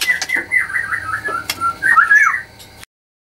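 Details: Caged white-rumped shama at a bird farm in Anyer, Banten, Indonesia, singing to stir up rival birds: wavering whistled phrases and warbles, partly masked by background noise, cutting off abruptly.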